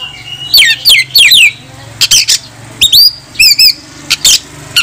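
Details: Oriental magpie-robin in full song, calling rivals to fight as a lure to provoke other males into tail-spreading; loud bursts of sharp, rising and falling whistles and rapid chattering trills, separated by short pauses, with a low steady hum behind.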